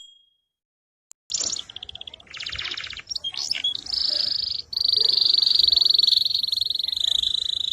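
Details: Canary of the AFS type singing in a lively, energetic style used for training other birds: after a brief silence, rapid buzzy trills shift between tones, then a long sustained high whistle-like roll holds steady for several seconds.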